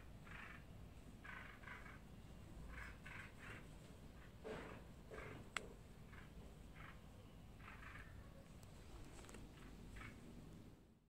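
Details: Two bulbul nestlings in a garden nest, fed by their mother, give soft, rasping begging notes in short bursts every second or so, over a steady low background rumble.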